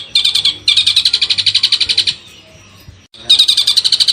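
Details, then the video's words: Loud, rapid, harsh chatter from a long-tailed shrike in a masteran training song, in two bursts split by a short quiet gap, with a low hum in the background. "masteran burung cendet"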